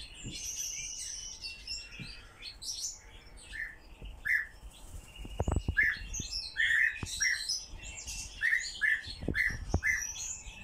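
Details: Pet nightjar kept indoors, chirping while its owner coaxes it to sing a little song: short sharp notes repeated at irregular intervals, with the owner's voice, clicks and faint music in the background.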